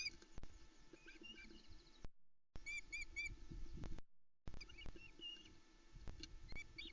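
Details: Osprey family at a forest nest cam in the Arkaig Community Forest, 10 July 2020, early morning as the male brings the first fish; short high whistled chirps in clusters, interrupted by gaps, with background rustling and low noise.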